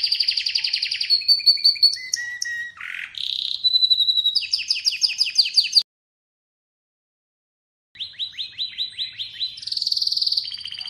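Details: Atlantic canary song made of varied phrases: buzzy trills, flat whistled notes stepping down in pitch, a rapid chirping roll, a two-second pause, then more fast trilled chirps and a shimmering high roll.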